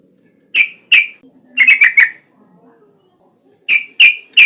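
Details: Yellow-vented bulbul in full song, meant to stimulate other bulbuls into answering: sharp bright chirps, a short tumbling cluster of notes, a quiet pause, then three more crisp chirps.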